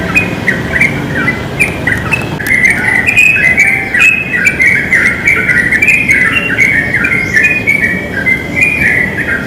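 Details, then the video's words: Wild sooty-headed bulbul singing vigorously in a pine tree: a continuous run of bright chirpy, bubbling notes in short warbled phrases, with faint outdoor background noise. "Trucuk liar di pohon pinus gacor sekali"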